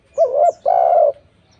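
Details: Tekukur, or spotted dove, in a lure recording meant to make other doves sing back: a short hoarse coo with a dip, then a longer steady rolling coo, clean and close.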